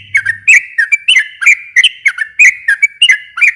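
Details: Sooty-headed bulbul song for provoking a silent bulbul to respond. Dense, bubbly whistled notes, often paired and wavering in pitch, follow each other rapidly, with a faint hum only at the very start.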